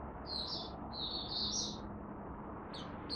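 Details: Malaysian Oriental white-eye (Mata Puteh Buka) in its first warm-up of the day, 1 August 2023, gives high, thin twittering phrases in quick bursts with brief pauses, over a steady low background hum.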